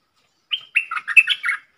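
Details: Red-whiskered bulbul decoy bird, a three-part rapid-fire song style, used to teach young birds and lure wild birds; one short phrase of about six quick warbled notes, slurred and chirpy, mid-high pitched, in a quiet background.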